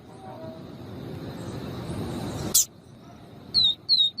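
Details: Female seedeater (papa-capim viviti, also named as Sporophila nigricollis) calling to excite and stimulate males: three short, high, down-slurred whistled notes in quick succession after low rumbling background noise and a sharp click.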